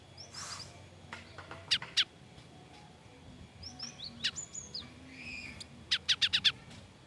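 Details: Cinereous tit, frightened, in a training tutor recording: scattered sharp chirps and short whistled slurs, ending in a quick series of five clipped chirps, over steady background hiss.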